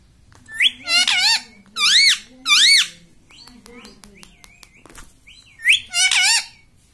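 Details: Pet parrot kept indoors saying "mummy": loud, nasal, strongly harmonic arched syllables in short bursts, with a few thin whistled notes and quiet clicks between them.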